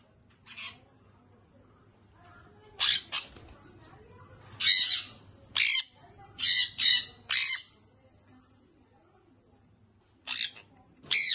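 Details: Young sun conure parrot calling in short, harsh, raspy squawks, scattered irregularly, with a cluster of four to five between four and eight seconds and more near the end.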